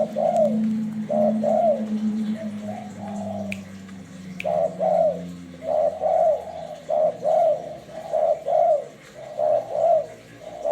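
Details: Tekukur, the spotted dove, giving a lure call of paired husky coos in a regular series, with a short pause near the middle, two faint clicks and a low background drone.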